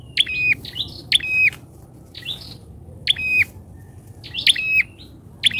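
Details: Bar-winged prinia lure call used as bait for wild prinias, very chatty and loud: doubled sharp chirps with flat whistled tails, repeated in clusters roughly every second, with a low background rumble.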